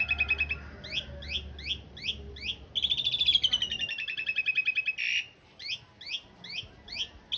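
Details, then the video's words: Master song of an Asian pied starling for training cage birds, rough fill with long rolls: quick upswept chirps repeated about three a second, then a long buzzy descending rattle, over a low background hum. "Suara masteran jalak suren isian kasar roll panjang"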